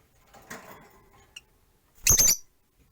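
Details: Rosy-faced lovebirds, four pets caged by a window, one perched; soft murmuring background, a tiny click, then one loud, grating high chirp.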